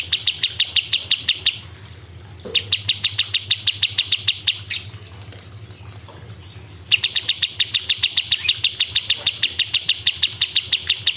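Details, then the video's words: Cucak cungkok in full 'gacor' song with sharp 'tembakan' bursts: fast runs of identical high, clipped chip notes, about three per second, broken by short pauses and one brief rising squeak. "CUCAK CUNGKOK ISTIMEWA GACOR"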